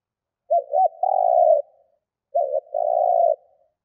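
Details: Spotted dove decoy cooing to attract wild doves: two phrases in quiet, each starting with quick wavering coos and ending in a long, even, hollow note, about two seconds apart.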